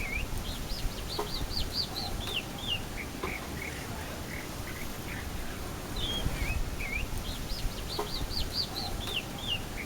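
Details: Chalk-browed mockingbird singing through its throat, filmed in Florianópolis, Santa Catarina, Brazil: varied high whistled and slurred phrases in a rapid series, repeated after a pause, over a steady low rumble.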